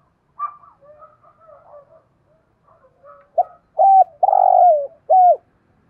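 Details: Spotted dove kept as a decoy, cooing to lure wild doves, thổ-style voice: quiet broken murmurs first, then one loud phrase of a clipped note, a full coo, a long descending coo and a final coo.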